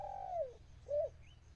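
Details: Decoy dove calling to wild birds: the tail of a long coo sliding downward, then one short rounded coo. A faint thin upslurred chirp from another bird follows.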